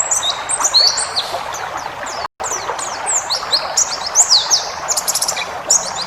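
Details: White-eye (pleci ngalas) tutor song with varied phrases: sharp downslurred whistles and clusters of high ticking notes, broken by a brief silent gap just after two seconds, then resuming busily over faint hiss.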